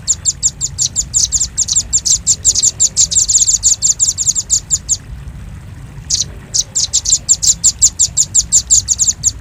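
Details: Lure audio for trapping birds, velvet-fronted nuthatch: a continuous run of high, metallic chip notes in quick succession, a break of about a second, then the rapid chattering resumes.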